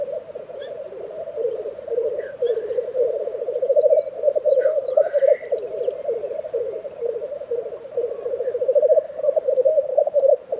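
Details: Black grouse at a lek in Tiveden, Sweden, in April 2023: a steady, low, dove-like bubbling rookoo chorus runs the whole time, with a few faint higher calls from other birds above it.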